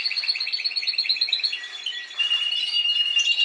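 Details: Caged Spanish timbrado canary producing a rhythmic bubbling trill of repeated double notes, then a softer warbled, mixed passage.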